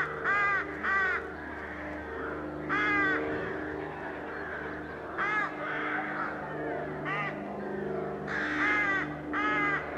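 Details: Crowded crow colony in May 2020, heard while mallard ducks wash nearby: harsh, ringing caws in short bursts of one to three, overlapping from many birds over a constant chattering din, with a steady low hum underneath.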